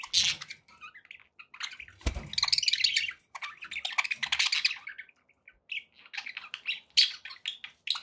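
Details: Pet budgerigars chattering in loud warbled phrases of chirps and scratchy squawks, with a sharp thump partway through and short gaps between bursts.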